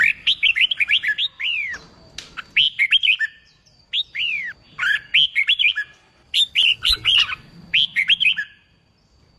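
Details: Red-whiskered bulbul song used to coax wild-caught birds into singing for contests: many fast, chirpy whistled phrases with swooping notes, repeated with short breaks, over faint low-frequency noise.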